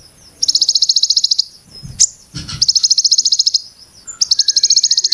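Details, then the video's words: A plain-throated sunbird sings the rough, tightly packed "Brem Ciblek Gunung" phrasing. Three rapid, high-pitched trills of regular buzzy pulses are broken by pauses holding a sharp click and dull low thumps. "Terapi Pancingan Konin Brem Ciblek Gunung Suara Super Jernih"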